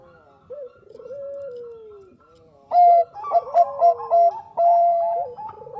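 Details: Actively singing Bangkok zebra dove for luring: a soft, sinking rolled coo, then a loud burst of clipped, bell-like coos in quick succession and a long held note.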